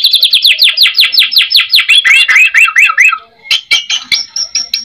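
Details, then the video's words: White-rumped shama singing steadily as a lure meant to draw replies from other shamas: rapid string of downward-sweeping chirps about two and a half per second, shifting into lower slurred notes, then sharp clicks and thin high whistles. "MURAI BATU GACOR FULL ISIAN MEWAH MURAI GACOR"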